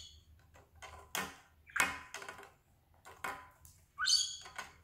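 A budgerigar gives scratchy chirps and a sharp, rising squawk in a small room.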